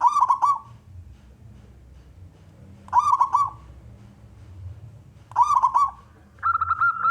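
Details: Male local wild zebra dove singing to draw other doves into song. Three quavering, stuttered coo phrases repeat about every two and a half seconds, then a steady whistled tone sets in at the end.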